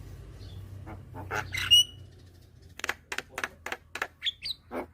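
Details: Head-bobbing young Javan myna with white eyes, used to lure hybrid mynas. One bright whistle and scratchy notes open, followed after a pause by a steady series of dry clicks and a few short whistles.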